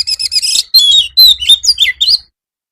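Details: Oriental magpie-robin master song for afternoon therapy of kept birds; an unbroken stream of chattering notes and sweet slurred whistles, ending abruptly, with a low hum underneath.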